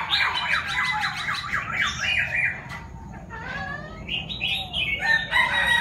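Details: Six-month-old young Chinese francolin practicing its crow: a fast series of harsh, rising-and-falling notes for about two and a half seconds, then a pause and softer broken phrases with chirps.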